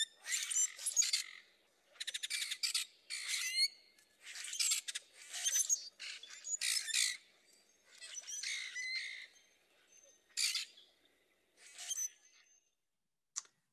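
Common Grackles give harsh, grating squawks and creaky squeaks in bursts about a second apart, mixed with thin, rising squeals, likely from several birds together.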